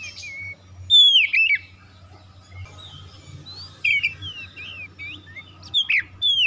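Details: Lure song of the Oriental magpie-robin, meant to start silent birds singing: a loud descending whistle with a harsh burst, a quieter pause, then rapid varied whistled slurs and sharp chirps.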